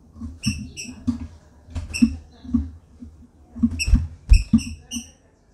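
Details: Female green-winged saltator calling and soliciting mating in a flight cage. Short, bright, high notes repeat about twice a second in uneven bursts. Heavy low thumps and patter from movement run throughout.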